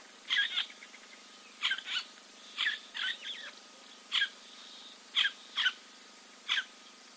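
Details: Preening giant kingfisher at a waterhole, Timbavati Game Reserve, Kruger National Park, South Africa, 04.02.2024, live camera; sharp, separate harsh notes, single or in pairs, spaced one to one and a half seconds apart.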